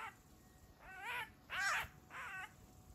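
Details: A Eurasian magpie caught by a Eurasian Sparrowhawk in a backyard gives three rising-then-falling wailing calls, each about a third of a second long, the middle one loudest.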